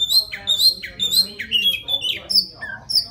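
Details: Wild white-rumped shama singing to attract a female: loud, clear whistled phrases, each note swooping up then down, delivered about twice a second, ending in higher thin slurred whistles over a faint low hum.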